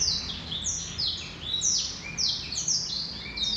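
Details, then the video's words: A male black-throated canary sings a rapid, continuous run of high, sweeping whistles and trills, with notes sliding down and brief buzzy phrases. "Blackthroat Canary Bird Male - Jantan"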